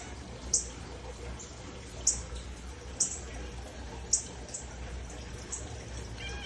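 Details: Northern cardinal chirping near a pet cat: four sharp, very high, clicky chips spaced about a second apart over a quiet background, with faint murmuring in the room.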